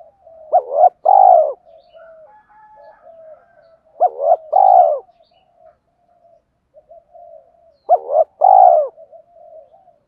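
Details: Spotted dove call to lure wild doves, mixing calling, urging and cooing: three evenly spaced phrases about every three and a half seconds, each a quick double note then a fuller coo, with soft murmurs between.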